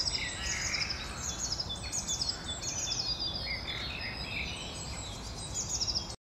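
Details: Great tit song from 20 April 2021: runs of high, clipped repeated notes in rhythmic series, accompanied by softer bird chatter and constant outdoor background noise.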